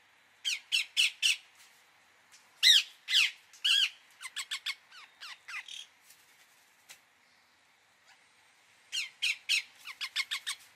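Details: Bursts of harsh, repeated squawks from an Indian ringneck parakeet, some louder screeches and quick chatter between, a quiet stretch, then another rapid run of calls.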